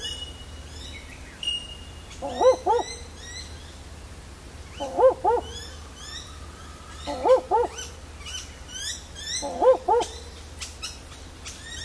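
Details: A barking owl, well camouflaged high in dense leaves at Warriewood, Sydney, Australia, calls by day, apparently for a mate: low, dog-like double 'wook-wook' barks about every two and a half seconds, with bell miners and other small birds calling high above.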